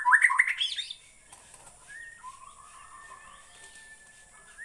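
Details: White-rumped shama from Borneo opening with a loud burst of rapid jumbled warbling notes, followed by faint, soft trilled whistles fading into the background.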